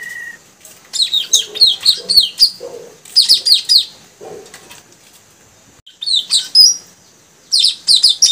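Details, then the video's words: Three newly caught male puling birds in training sing in rapid bursts of bright, high chirping notes, each about a second long with brief pauses, several birds seeming to overlap. "Suara gacor burung puling tajaling"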